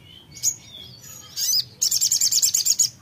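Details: Songbird responding to brief playback: a few thin high whistles and a short note cluster, then a rapid string of about ten bright, sharp chirps.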